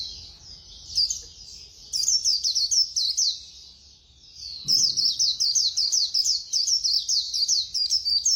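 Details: Fast white-eye song: long runs of very high, quick tumbling chirps repeated in rapid strings, one brief pause midway, then an even denser chattering stream.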